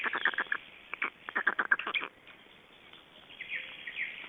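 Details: Black storks in Estonia at the nest on 29 May 2012, around nest changeover and feeding; a quick series of harsh, clipped notes for about two seconds, then fainter, scattered calls.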